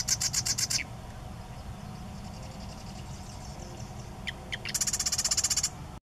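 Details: Marsh wren singing at Sacramento National Wildlife Refuge: rapid, buzzy rattling trills, one at the start and another after a few clipped lead-in notes, each trill about a second long, against a constant low rumble.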